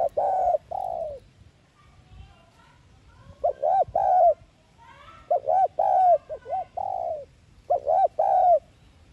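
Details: A lure call for trapping from a spotted dove, in the 'thúc gù' style. Groups of mellow, wavering coos begin and end with a short hook note, with long quiet pauses between the phrases.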